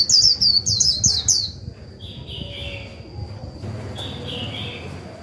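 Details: Kept decoy white-eye in líu song meant to excite a newly caught bird: a fast run of sharp, falling high chirps at the start, then quieter softer notes and near silence, with a thin steady tone.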